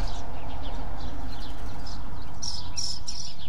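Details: Birds chirping in a small town neighborhood with light traffic: a few faint high chirps early on, then brighter, quick tweets near the end, over a steady low rumble of traffic.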